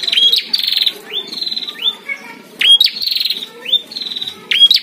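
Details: Heated contest between a caged prinia and a wild one, with loud rising whips ending in long buzzy trills, repeated about every second.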